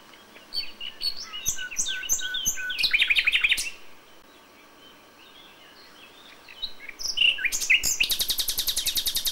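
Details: Common nightingale's May dawn song, original sound: varied chirping phrases and a dense burst of notes, a quiet pause, then a loud, very fast, machine-gun-like rattle of repeated high notes.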